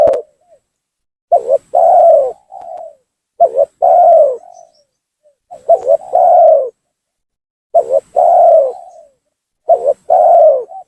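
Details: Lure cooing of a spotted dove, used to anger rival doves and draw them down: five evenly spaced phrases about every two seconds, each a clipped double note, a long, full, slightly falling coo and a quieter tail note.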